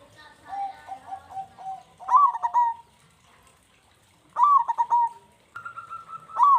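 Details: Local zebra dove in lively singing form, used as a lure to get other doves singing quickly: soft low cooing notes at first, then three louder bursts of stuttering, trilled coos with sliding tones, spaced one to two seconds apart.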